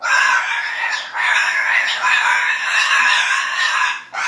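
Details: Captive female cockatoo in an exuberant mood, producing nearly continuous raspy, grating screams with a short break near the middle.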